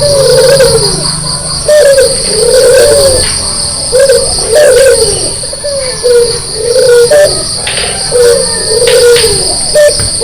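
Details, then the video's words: A white Barbary dove with red eyes coos insistently in the morning. Repeated low, slurred coo notes follow one another closely over a persistent shrill insect buzz, with faint clicks. "pagi pagi gacor membangunkan orang tidur - burung puter putih mata merah"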